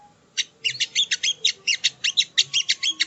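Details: Sogo ontong, also called sogon, sung as training audio: a fast, steady series of sharp, buzzy, high-pitched notes, about five per second, after a brief quiet start.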